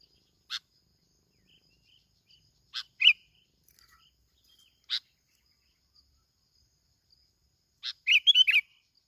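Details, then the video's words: Plain-backed sparrow from Bình Thuận, Vietnam, used as a lure: isolated sharp clicks every two seconds or so, with short chirps and a closing burst of quick twittered notes. "tiếng chim bông lau kít bổi"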